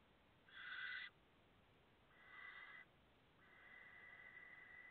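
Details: Five late-hatched barn owl chicks, recorded 14 August 2017, giving three drawn-out raspy hisses, the first loudest and the last longest, separated by short pauses.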